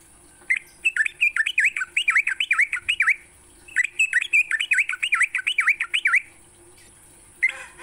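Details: Sooty-headed bulbul in the morning, recorded to train songbirds: two fast bursts of bubbly chattering notes, each about two and a half seconds, rapid up-and-down whistles, separated by silence, a steady high hiss throughout.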